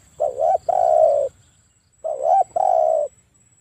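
A spotted dove gives deep, mellow cooing phrases, two-part hoarse coos repeated twice in a few seconds, with a faint steady hiss behind.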